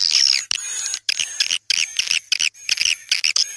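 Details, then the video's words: Swiftlet lure call: choppy bursts of high twittering chirps in short groups, with a thin steady tone running through. "Panggil burung walet suara"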